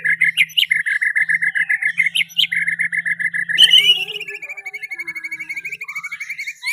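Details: Richly varied learned song fill from a White-rumped shama: a long fast chain of identical clipped notes, a sudden loud bright whistle, then a rising series of quick ticking notes and a soft upward slur, over a faint hum.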